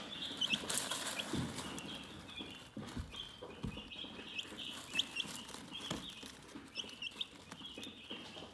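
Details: Chickens peep continuously in a high, shrill chorus, with a few louder chirps, some rustling bursts, and low thumps in the background.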